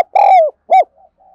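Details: Spotted dove used as a decoy and to train the voice of newly caught wild birds: two loud, mellow, low coo notes, the first drawn out and falling, the second short and arched, followed by faint soft murmurs.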